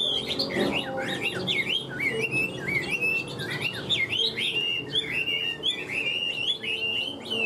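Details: Caged Hwamei singing a continuous, energetic song of bright, twisting whistles, each phrase bending up and down in quick succession, with a faint low hum underneath.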